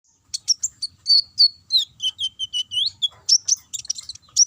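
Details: Sunbird (konin) lure song in the chattering ngobra style, played to provoke other birds into singing: rapid high chirps and short whistled notes, some slurred downward, in a dense run with brief gaps.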